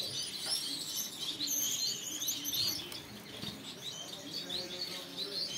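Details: Yellow Gouldian finch singing a thin, very high, buzzy and wheezy song of fine rising and falling trills, soft and continuous, with faint low background rustling.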